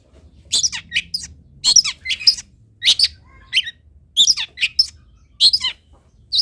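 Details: Long-tailed shrike singing as a tutor for other birds: a jumbled series of harsh, scratchy squawks and high squeaky notes in irregular clusters.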